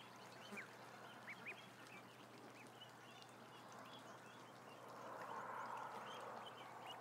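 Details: Among a thousand ducklings, scattered clear rising peeps stand out early on, then a broad rushing noise swells toward the end under fainter peeping.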